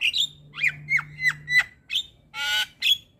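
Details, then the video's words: Black-winged myna (jalak kebo) masteran song for tutoring young mynas: loud whistled notes sliding downward, spaced short squawks and one harsh raspy burst, over a faint low hum. "Jalak Kebo Gacor Masteran Bikin Burung Jalak Muda Jadi Pintar Berkicau"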